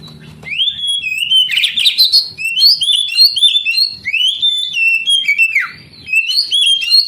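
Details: Oriental magpie-robin delivering varied whistled song used as therapy for young canaries that rarely sing: bright upslurred and downslurred notes in quick succession, mixed with scratchy chirps and one deep falling whistle.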